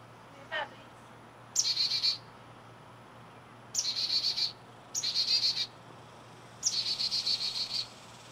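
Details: A baby chickadee calling at dawn gives four harsh, buzzy, high-pitched notes, each about a second long and a second or two apart, with a brief faint chip near the start.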